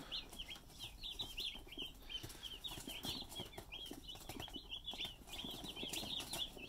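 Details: Fifty-five Cornish Cross chicks arriving at their new home in Quakertown, giving dense, continuous high-pitched peeps that overlap constantly, with soft rustling and scratching beneath.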